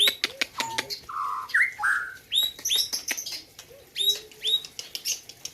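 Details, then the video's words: A white-rumped shama from the Gayo highlands of Aceh sings on the road to the Presiden Cup 2021 contest: quick clicks, rich warbled whistles and sharp rising notes repeated in bursts, with clicking sounds between phrases. "ALUNAN MERDU MURAI BATU POLEM"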